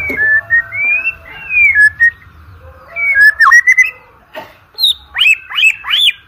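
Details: White-rumped shama song meant to stir birds into singing for contests: long flowing whistled notes rising and falling, then sharper upward-sweeping whistles and short clicks near the end, over a low background hum.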